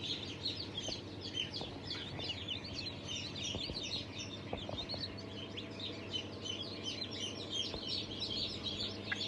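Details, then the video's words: Fresh hatch of chicks, breeds Cream Legbar, Sultan, Fizan, Cochin and İspenç, dated 5 May 2023. Crowded high-pitched peeping runs throughout, mixed with scattered clicks and taps, above a droning low hum. "Yeni Çıkım 05.05.2023 - Cream Legbar,Sultan,Fizan,Cochin,İspenç"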